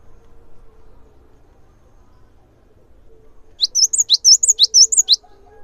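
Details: Cinereous tit in full song, played as a lure to set other tits singing: after three seconds of near-quiet, a rapid run of sharp, high, two-part whistled notes repeats about eight times over under two seconds. A faint low hum sits underneath.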